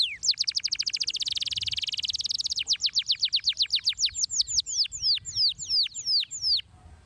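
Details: Canary song: a fast, dry trill of rapidly repeated high notes for over two seconds, then slower, sweeping whistled notes that descend, repeated in a steady series.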